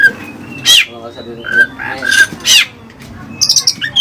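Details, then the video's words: Oriental magpie-robin with Cililin song material: a few harsh buzzy bursts and short clear whistles over a low background hum, closing with rapid high notes. "Burung Kacer Isian Cililin"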